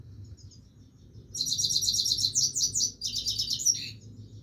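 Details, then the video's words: A Himalayan goldfinch sings nonstop: after a quiet start, a two-and-a-half-second burst of sharp, high chattering notes and buzzy trills, ending in a downward slurred note. "himaleyan goldfinch singing continuesly"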